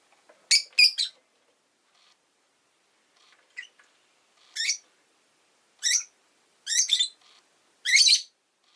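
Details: A rosy-faced lovebird chirping: a fast double shriek, a quiet gap with soft notes, then a run of loud raspy chirps, some doubled, roughly every second.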